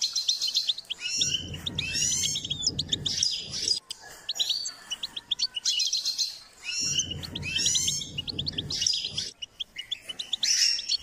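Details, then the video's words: Goldfinch singing during song training: rapid tinkling twitters and buzzy slurred notes in bursts a few seconds long, with brief pauses, over intermittent low rumbling background noise. "Step by step enhancing the goldfinch’s singing"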